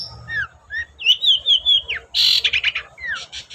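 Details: Long-tailed shrike singing as a lure to encourage other shrikes to sing: thin whistled slurs and a drawn-out wavering whistle, then a burst of harsh buzzy chatter and a final descending whistle over a low background hum.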